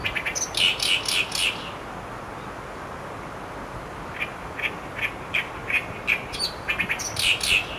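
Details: Asian brown flycatcher calling, recorded on 26 May 2015: short high chirps in two clusters, a quick burst of several notes near the start and another scattered run in the second half, separated by a quiet pause.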